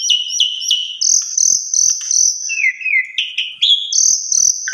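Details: Asian pied starling song meant as a master for other starlings: three quick downslurred notes, then long high sustained whistles, a lower warbled passage and a rising whistle, with faint low taps in the background.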